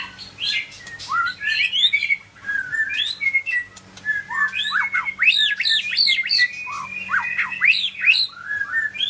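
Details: Medan-type white-rumped shama giving an extended, varied song of whistles, rising sweeps, harsh squeaks and brief warbled runs, with a faint constant hum underneath.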